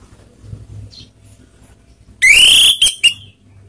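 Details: Orange-headed thrush lure song, used to provoke rival birds: after near silence, one loud burst of clear whistles rising and then sliding, with a buzzy harmonic-rich edge, followed by two short sharp notes. A faint low hum runs underneath.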